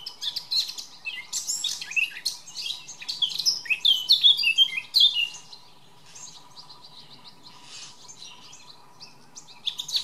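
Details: A male Eurasian blackcap sings a rich, fast warble of varied chirps and clear fluting notes, fading into quieter twittering; a faint steady hum sits beneath.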